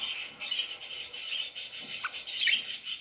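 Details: Group of parakeets twittering in a high rapid chatter, with a brief lower chirp and then a sharp loud squeaky call toward the end.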